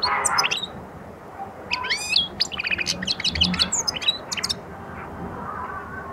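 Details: European goldfinch starting its song and attack: a rapid, liquid, tinkling twitter of high, swooping notes between about 1.7 and 4.5 s, with a short burst at the start, over a low rumbling background.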